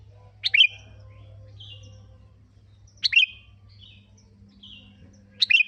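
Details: Sooty-headed bulbul recorded to lure other birds into song: three short liquid, bubbling phrases about two and a half seconds apart over a faint low hum.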